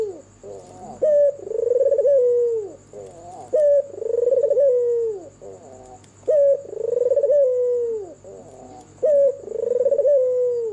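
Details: Manggung song of a white albino Barbary dove with red eyes, recorded at night: four or so phrases, each a bright clipped note then a long vibrating coo that curves downward, roughly every two and a half seconds, with a faint steady whine.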